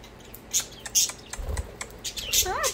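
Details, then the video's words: Several playing budgies make a busy run of high chirps and clicks, ending in a wavering warbled call, with a soft low thump in the middle. "Budgies chirping and playing."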